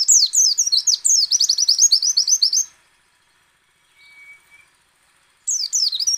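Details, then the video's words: A white-eye (pleci) lure call meant to make other white-eyes open their beaks and sing: a fast, high, tumbling twitter of sweet chirps stops briefly, with a faint thin whistle in the pause, then bursts out again. "PLECI ngecal, ngalas dan nembak"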